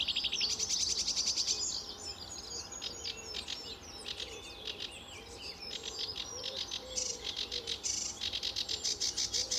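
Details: Early-morning song of a sedge warbler, RSPB Fowlmere, July 2013, in sunshine: fast repeated trills give way to scratchy, buzzing phrases and varied chatter, with soft lower background calls underneath.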